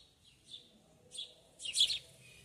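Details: Sayaca tanager in a backyard gives three short, high, squeaky chirps spaced about half a second apart, the last louder and more sibilant.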